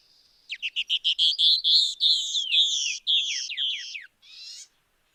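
Canyon Wren duet: a cascade of bright, clear notes that slides steadily downward and slows over four seconds, then ends in a short, harsh buzz.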